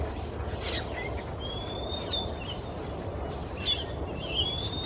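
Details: Male Oriental magpie-robin singing in the quiet afternoon in Singapore, moving between perches; clear rising whistled notes with short scratchy bursts, over steady low background noise.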